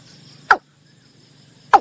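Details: Watercock call used as a lure in bird hunting: two short, abrupt, knocking notes a little over a second apart, each dropping slightly in pitch, against a quiet background.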